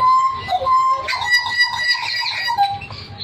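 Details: Hooded butcherbird giving a long clear whistle, then a denser stretch of overlapping fluted and slurred notes, ending on a falling tone over low background noise.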